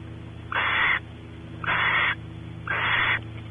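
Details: Barn owls in a nest cavity at Audubon Starr Ranch, California; as the male explores, the female expects mating. Three drawn-out breathy screeching hisses, evenly spaced about a second apart, over a low hum.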